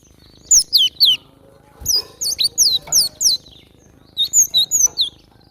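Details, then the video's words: A wild cinereous tit sings busily. Three bursts of bright, high whistled notes slur downward, each burst holding three to six notes, with a low hum underneath. "Super gacor burung glatik batu liar"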